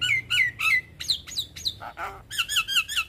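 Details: Javan myna song used as a master recording to prompt young birds: a run of harsh, squawky notes and whistled slurs near the upper-middle range, with rising and falling phrases and a rapid burst of chattering notes at the end.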